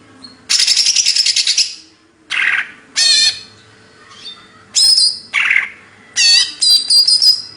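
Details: Greater green leafbird from Banyuwangi, Indonesia, singing in a lively hyper style: a long buzzy burst, then separate short phrases of rapid trills and slurred whistled notes with brief pauses between.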